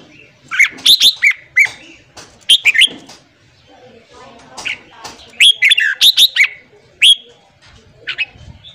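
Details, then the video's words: Red-whiskered bulbul morning singing for training a newly caught bulbul to sing strongly: repeated lively phrases of loud, clear, swooping whistles, three bursts over about nine seconds with short single notes between. "luyện giọng chào mào hót sáng kích lửa cho chào mào bổi"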